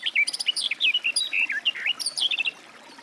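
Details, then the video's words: Garden warbler (Sylvia borin) singing a fast, continuous warble of rich, rolling notes that rise and fall without pause for the full three seconds. "Warbler garden, birdsong"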